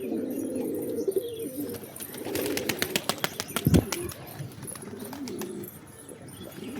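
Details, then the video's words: Low pigeon coos at the start give way to a burst of sharp clattering wingbeats and knocks around the middle, then softer cooing returns. "Pigeons | Cat Tv For Cats To Watch Birds | Beautiful Birds chirping Sound"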